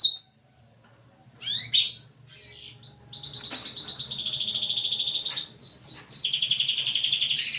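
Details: Kept canary singing a varied song prized for its unique phrasing: brief sweeping chirps, then a long rolling trill held steadily high from about three seconds on, ending in quick bright upward notes.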